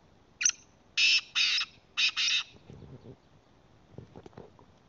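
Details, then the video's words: Black francolin calling at a location in Khyber Pakhtunkhwa. A short harsh note followed by four loud, grating, squawking bursts in two quick pairs, then quiet rustling and faint background sounds. "kala teetar k awaz||voice of kala teetar||کالا تیتر کی اواز"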